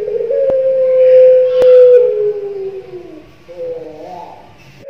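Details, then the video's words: A young ringed Barbary dove (puter pelung) gives a long, low, drawn-out coo that slowly sinks in pitch, then a shorter rising note, with two sharp clicks early on. "suara puter pelung muda"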